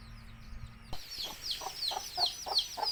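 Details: Baby country chickens from Tamil Nadu with a mother hen calling her chicks to eat: after a brief low hum, dense high falling peeps pour out while the hen's low clucks repeat roughly every third of a second.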